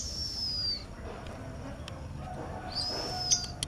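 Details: Brown-throated sunbird, locally sogok ontong, calling beside a female konin: two thin, very high whistled notes sliding slightly downward, separated by a pause, then a few sharp ticks over a soft noisy background.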